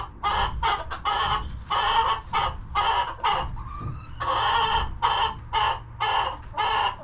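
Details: Hens in a homestead coop, relaxing and eating, give a busy run of harsh, broad clucks in close bursts, several overlapping, with one brief rising squawk near the middle and a low hum beneath.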